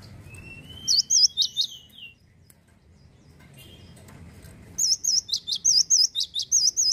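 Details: Male cinereous tit in 'gacor lossdol' song: a thin rising whistle and a few looping notes, a pause filled with low background rumble, then a long run of about a dozen bright whistled notes in rapid, even rhythm.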